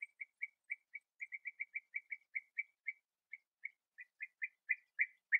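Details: Bee-eaters still feeding nestlings at their last breeding burrow, 8 August 2017, sunshine and 21°C; short burry calls repeat steadily, roughly four per second, growing louder toward the end.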